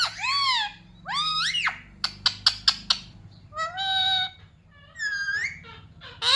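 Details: Parrot kept as a pet and taught the words "mummy papa": rising slurred syllables, a burst of rapid clicks, then a flat buzzy tone and further swooping notes over a faint low room hum.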